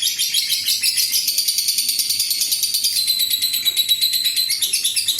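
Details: Lovebird ngekek, a long trill meant to lure other lovebirds into trilling: a continuous high, scratchy chatter of quick repeated notes, with a thin whistled strand appearing in the second half over a faint low hum.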